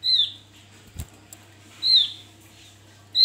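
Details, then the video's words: Male Javan grey-throated white-eye singing as a lure: two drawn-out high falling notes and the start of a third, with a single sharp click near the first second. "Opior jawa buka paruh ngalas Untuk pancingan"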